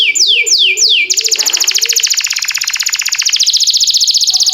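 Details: Training song of a canary: three sharply descending sweeps over a low murmur, followed by a long, very fast rolling trill that continues without a break.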